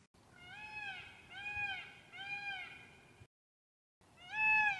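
A peacock gives loud, nasal, wailing screams, four in quick succession about a second apart, then a brief pause before one more, louder cry.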